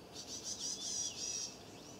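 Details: Alarm calling from a Varied tit holding plenty of nesting material in its bill, flitting in and out of a stone lantern where it may nest; a steady run of high, harsh, buzzy notes, strongest midway.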